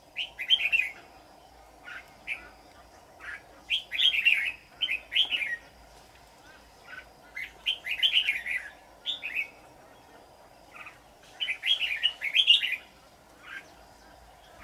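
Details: Red-whiskered bulbul, a decoy bird used for trapping: bright warbled phrases of rapid whistled notes, bursts every two to four seconds, with a steady low hum beneath.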